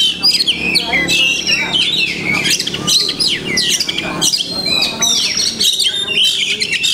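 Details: Kacer, the Oriental magpie-robin, singing a long, dense masteran-rich sequence of whistles, chirps, buzzy notes and rapid slurred phrases, nearly unbroken, with a faint low hum beneath.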